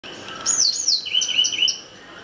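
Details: White-browed wagtail (Motacilla maderaspatensis) calling: a quick run of five or six high, slurred whistled notes within about a second, over a faint steady hiss.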